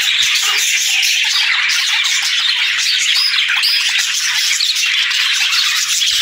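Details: Many parakeets chirp and warble together in the morning as they greet the day, a busy, evenly loud stream of high twittering with no pauses.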